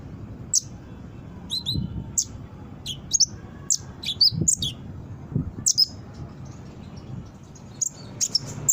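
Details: Brown-throated sunbird, played to lure and train birds into calling: scattered sharp high chips and short downslurred notes, spaced irregularly roughly every half second, with faint low rumbling background.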